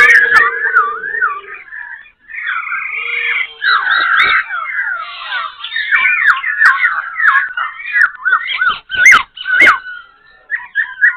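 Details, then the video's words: Wild-caught Black-throated laughingthrush in a cage at Tan Tuc, Binh Chanh, Ho Chi Minh City, singing and tail-dancing with changing voice: a jumbled stream of varied whistles and twisting notes, a low hum at first, then sharp cage clicks near the end. "Khướu bạc Má Bổi Lỡ Hót Múa Đuôi Cánh đảo Giọng Như Điên"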